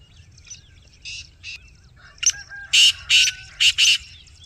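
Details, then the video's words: Black francolin giving a loud, rasping call. Several short scratchy notes build into four strong grating bursts near the end, with a faint low background hum. "Kala teetar | Black Francolin | Gora teetar"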